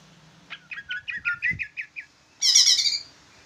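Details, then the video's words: Big green leafbird chattering in a bulbul-like style: a quick series of short bright chirps, then a loud, harsh, buzzy burst of about half a second. "Ci ijo jumbo rasa trucukan ngoceh"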